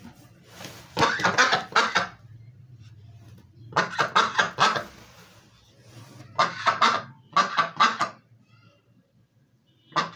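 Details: White Pekin duck at home on pillows gives loud, harsh, nasal quacks in quick runs of four or five, with short pauses between bursts over a low background hum.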